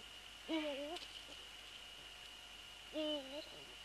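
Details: Eurasian eagle-owl at a nest on 3 February 2014, during a prey transfer followed by the male on the nest: two drawn-out, wavering tonal calls with strong overtones, about two and a half seconds apart, over a steady high-pitched whine.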